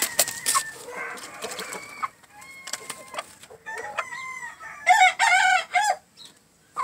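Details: Green-legged red gamefowl kept alongside a jumbo pheasant, giving harsh clucks and then a loud crow of stacked, wavering tones, with sharp clicks and knocks around it.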